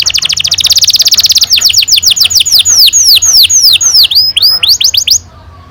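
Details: Canary singing a long rolled song meant to prompt young canaries to sing: a rapid run of high repeated notes gives way to a series of loud, downward-sweeping whistles, then stops abruptly.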